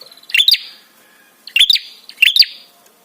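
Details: Prinia call used as therapy to draw responses and arousal: three quick, piercing chirp bursts, each a rapid cluster of high notes fading into a brief whistle.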